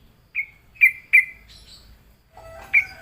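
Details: Lured Sooty-headed bulbul giving three clear sharp chirps with trailing tails, a thin higher note, then a final chirp against a soft steady tone.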